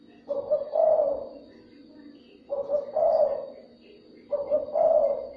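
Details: Spotted dove cooing used to stimulate and attract other doves: three deep, hollow two-part coo phrases spaced about two seconds apart, short opening note followed by a drawn-out throaty coo.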